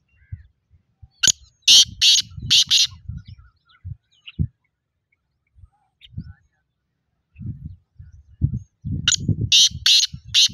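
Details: Black francolin calling, harsh rasping broadband notes in two bursts of about four notes each, separated by a quiet gap, with low thumping and voice-like sounds between them.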